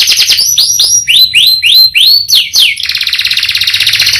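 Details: Canary singing a series of upward-sweeping whistled notes, about three per second, followed by a quick, dense rolling trill.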